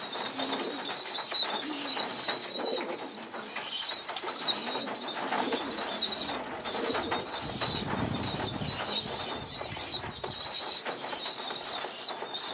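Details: Begging pigeon youngsters moved onto the floor for group feeding: a persistent high, shrill squealing in bursts, with faint low coos and some rustling.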